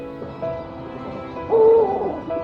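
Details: A mother Eurasian eagle-owl at a rescue centre in spring, at dusk, gives short, hollow, mid-pitched hoots of about a third of a second, holding food and calling toward her released two-year-old daughter; soft music underneath.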